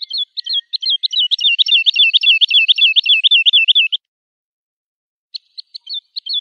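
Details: Lark song for teaching chicks: quick whistled notes merging into a fast rolling, warbling trill lasting a few seconds, then silence and a few brief high notes.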